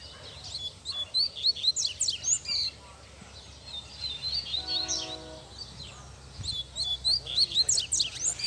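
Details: Male Double-collared seedeater singing in the bush, with two bursts of fast, high, scratchy twitters separated by a short steady whistled tone, and light background noise.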